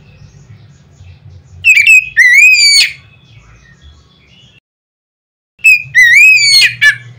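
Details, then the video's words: Oriental magpie-robin delivering a loud song to set other magpie-robins singing: a bright whistled phrase, sliding up then down and closing harshly, given twice about four seconds apart over a steady low hum. "nada keras bikin burung Kacer lain ngeplong."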